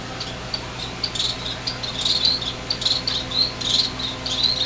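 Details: Six newly fledged finches in a greenhouse, January 2007, on the day they left the nest. Many short high squeaky chirps overlap steadily throughout, with a faint continuous low hum underneath.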